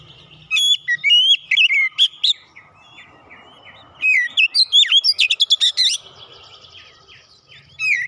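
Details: Oriental magpie-robin (kacer) in full, loud lure song for birds that have stopped singing: bursts of fast, varied whistled phrases and sharp chips, separated by quieter gaps with a faint low hum behind.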